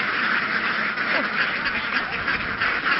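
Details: Large flock of laying ducks moving through fields in Vietnam toward a boat. A thick, unbroken chorus of quacking from countless birds, evenly loud for the whole stretch, with no single voice standing out.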